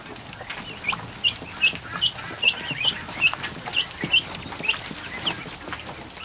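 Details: Newly hatched duckling in a barn kiddie pool with over a hundred others, afternoon. One clear, high peep repeats about every half second, steady and piercing, above faint background peeping and water sounds.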